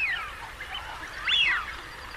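Wigeon whistling: a thin falling whistle, then about a second later a louder, clear 'wheeoo' that rises and falls. Only a soft hiss behind.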